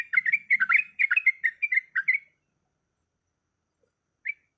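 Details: Female yellow-vented bulbul in breeding condition calling a male: a burst of quick bubbly chirps for two seconds, then silence, then a single short chirp near the end.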